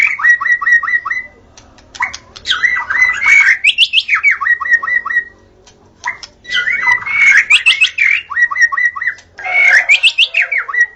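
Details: Forest recording of a white-rumped shama singing repeated phrases: rapid series of short descending whistled notes near the same pitch, rattling bursts between, phrases separated by pauses of about a second.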